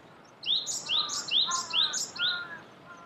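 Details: Japanese bush warbler in spring song among cherry blossoms, Saitama Prefecture, Japan, March 2019: five bright, rising high notes repeated about twice a second, each trailed by a softer, lower slurred tone.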